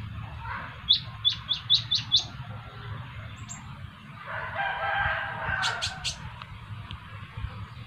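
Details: Van Hasselt's sunbird (kolibri ninja), with another bird joining in: a quick run of five bright, rising high chirps, then a rustling burst of noise and three very high thin notes near the end.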